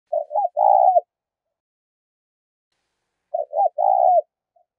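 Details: Spotted dove giving its 'thúc' call, used as a lure for trapping: two low cooing phrases, each of two short clipped notes followed by a longer rolling coo, about three seconds apart.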